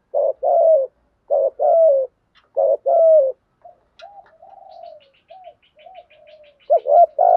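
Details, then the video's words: Spotted dove coos used to stimulate other doves: four strong low coo bursts in quick succession, then soft wavering murmured coos, with a faint, rapid series of high thin ticks in the background before the loud coos return. "Tiếng chim cu gáy thúc gù kèm dày kích thích bổi rất xiêng gáy cả ngày"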